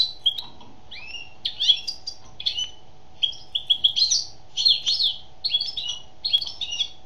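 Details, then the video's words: Song of a female European goldfinch: lively, rapid run of high tinkling, twittering notes with buzzy trills, nearly unbroken throughout, with a low constant hum in the background. "Chant d'une femelle chardonneret"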